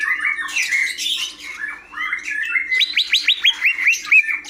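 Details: Greater green leafbird in varied warbling song that builds into a quick series of about eight sharp, sweeping whistled notes, then a final clear whistle, over a faint low hum.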